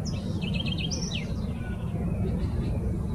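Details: House wren at the Botanical Garden of São Paulo, Brazil, 26 November 2019: a quick, bubbling run of high warbled notes, then a couple of sliding whistles, all within the first second and a half, over a constant deep traffic rumble.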